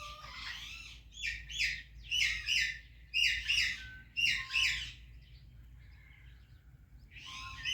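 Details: Rose-ringed parakeet chirping in a calm series of five loud, harsh squawking bursts about a second apart, each with a short whistled lead-in, a pause, then another burst at the end.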